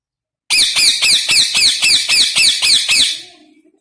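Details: Rose-ringed parakeet (Psittacula krameri), call.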